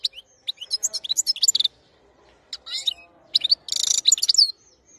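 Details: European goldfinch (Carduelis carduelis) singing a fast, liquid twitter of tinkling high notes in quick bursts with short pauses, ending in a dense, buzzy trill.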